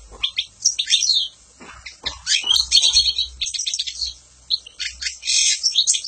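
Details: European goldfinch song: a fast, tinkling jumble of high twitters, trills and buzzy notes in uneven bursts with short pauses.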